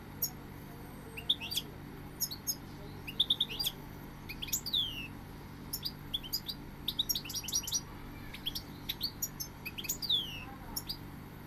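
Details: Goldfinch in lively, continuous twittering song of rapid high chirps, liquid trills and downslurred notes, growing denser midway, with a faint low hum in the background.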